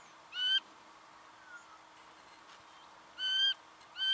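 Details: Singing honeyeater in Victoria, Australia, November 2011: harsh nasal rasping notes, each about a quarter second long with rich layered overtones, given singly or in pairs a few seconds apart over a steady low hum.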